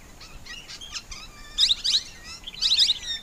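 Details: Plum-headed parakeet calling: sharp, high, downslurred notes in two loud bursts of three or four, with fainter scattered chirps and thin whistles in between.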